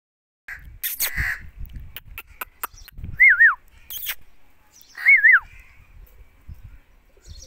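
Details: Indian ringneck parrot giving two short wavering whistled calls around mid pitch, each dipping and falling at the end, about two seconds apart, among clicks, knocks and low handling noises.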